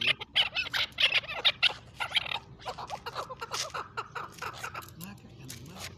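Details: Chukar calling: loud, harsh clucking notes in quick bursts about twice a second, then a run of softer repeated clucks trailing off toward the end.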